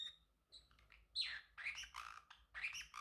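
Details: Pet male Pacific parrotlet chattering in a quick run of harsh, buzzy chirps and squeaks, mixed with short whistled notes, loud and uneven.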